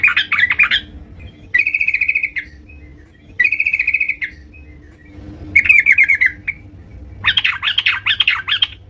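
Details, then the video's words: Yellow-vented bulbul in energetic song at home, alternating buzzy even trills with bubbly, tumbling warbled phrases, steady low hum underneath. "terucukan gacor"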